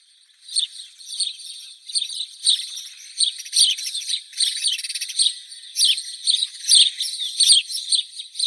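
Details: House sparrows chattering together in a dense, overlapping flock chorus of high chirps and twitters, rising and falling in bursts with no pause.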